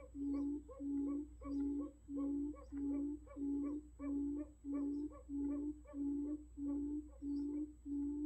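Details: Buttonquail decoy recording used for trapping: a long series of low, humming hoots, each about half a second, repeated very regularly about every 0.6 seconds, with soft higher notes between them.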